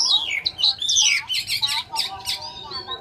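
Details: Clear, loud song of a Chinese hwamei: a long descending whistled slide, then rapid high looping notes and a cluster of sharp chips near the end.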